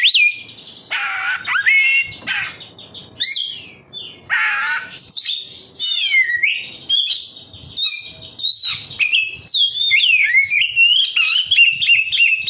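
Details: Kacer (oriental magpie-robin) song used to coax other caged birds to sing: varied harsh and whistled notes in irregular bursts, ending in a long, fast, continuous warble.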